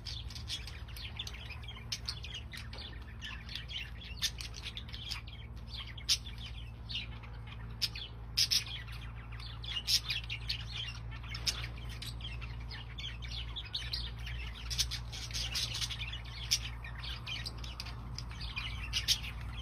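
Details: Budgerigars in a home aviary chatter together in quick, high, scratchy chirps and warbles over a steady low hum.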